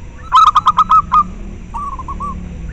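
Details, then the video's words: Local zebra dove song, used for breeding-drive stimulation and luring. Six loud, rapid, clipped coos are followed by a pause, then a quieter rolling phrase of short notes. A faint low hum sits underneath. "Perkutut lokal suara ampuh untuk merangsang terapi masteran dan ahli pikat"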